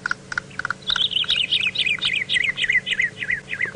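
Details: Brown-crowned Tchagra call played back from a bird list on a sunrise safari drive at Djuma, Sabi Sand, South Africa, 20 June 2017: a few short clicks, then about a dozen clear slurred whistles stepping down in pitch over three seconds.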